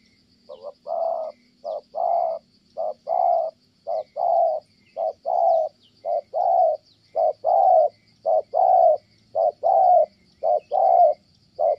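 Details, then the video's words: Kon Tum, Vietnam: a spotted dove gives a long run of soft, hollow coos, brief notes alternating with longer drawn ones in an even rhythm, with insects buzzing steadily behind. "Thổ Âm Tốt, đang gù ngon thì mái phá đám"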